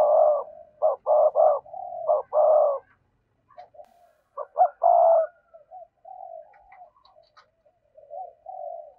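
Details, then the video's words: Spotted dove giving rapid repeated loud buzzy coos in a full song to call in wild doves, then a cluster of short notes and a long coo, fading into soft low murmuring coos. "tiếng cu gáy đủ bài kích thích bổi nghe nhanh về cội nhất"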